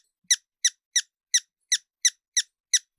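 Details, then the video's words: Hummingbird uttering eight crisp, high chip notes spaced about a third of a second apart, each short and clean against silence. "Sonidos de Colibries - COLECCION SONIDOS DE COLIBRIES - Hummingbirds Sounds"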